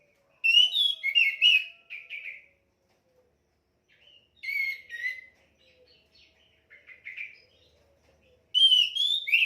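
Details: Orange-headed thrush song, boosted for training other caged birds: clear whistled phrases around mid-high pitch, bursts of varied notes at the start, middle and end with short silent gaps between.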